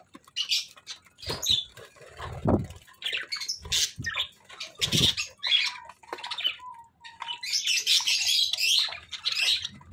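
Budgerigars chatter in scratchy, buzzy bursts mixed with quick chirps and squawks.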